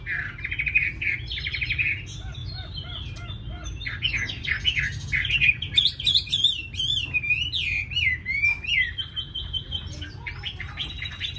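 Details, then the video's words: Tame Chinese hwamei from Hanoi, Vietnam, in a cage: varied song opening with buzzy notes and soft repeated chips, building to fast zigzagging whistled trills and clear drawn-out whistles. "Mi thuần cb98123 giọng rất hay mau mỏ"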